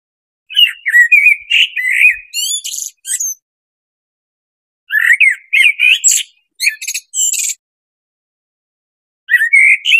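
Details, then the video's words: A blackbird sings in three separate phrases: mellow fluted warbling breaking into high, squeaky twittering at the end of each phrase, with quiet pauses between. "SUARA BURUNG BLACKBIRD"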